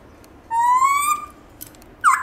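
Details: Black-throated laughingthrush (Garrulax chinensis) singing in its wild-style voice, used to spur captive laughingthrushes to sing: one long, clear whistle rising slowly, then a brief sharp note at the end.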